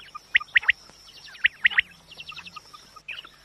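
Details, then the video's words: Hunting-lure quail calls: loud crisp chirps in groups of two or three, then a quieter series of rapid short notes, over a thin continuous high tone. "QUAIL SOUND very original sound"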